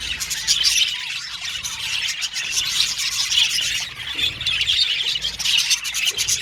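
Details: Several budgies chirping and squealing together, scratchy warbled chatter broken by shrill squeaky notes, with a brief dip in loudness around the fourth second.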